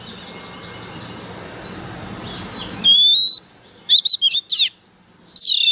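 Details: Oriental magpie-robin kept as a decoy bird, singing fiercely: after a soft murmur of distant chirps, loud pure whistles ring out, then a quick burst of sharp rising and falling notes and a final drawn whistle.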